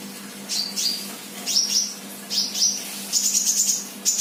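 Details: Sunbird, a 'bahan' bird singing 'gacor', gives thin, high whistled notes that slur downward, in pairs. They are followed by a quicker run of sharp high chips, over a steady low hum.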